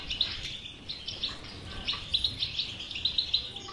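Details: European goldfinch singing a batbata song used as a cure for a silent goldfinch: quick chirping phrases of high tinkling notes, some sharply accented, repeated in short clusters.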